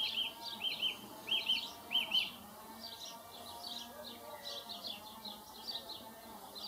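A song thrush sings a bright, whistled phrase four times in quick succession, then moves on to softer, varied phrases, over a faint low hum.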